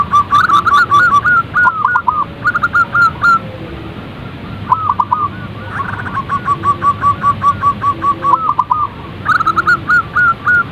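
Zebra doves coo in quick, soft staccato phrases about a second long, several birds overlapping, with faint high ticking in the background.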